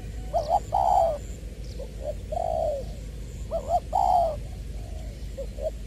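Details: Spotted dove decoy from Long Đức, Trà Vinh, with 'giọng tiểu' voice, 22 February 2021, giving repeated soft coo phrases: short wavering doubled notes followed by longer falling croons, with quieter notes between.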